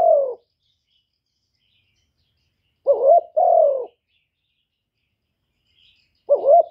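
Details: Decoy spotted dove cooing to stir up wild doves: a lone falling coo, then two-part phrases near three and six seconds, each a short wavering note followed by a longer, smooth, slightly falling coo, separated by silence.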